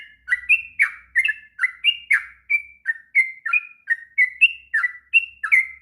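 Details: Sooty-headed bulbul giving a long, continuous ngropel song used as a master recording for training untrained bulbuls: bubbly, liquid whistled notes, each dipping or rising, delivered in a steady rapid stream with no pauses.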